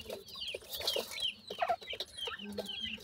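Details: Grey francolin chicks feeding with their family: brief high chirps and peeps in quick bursts, mixed with low clucking notes and rustling.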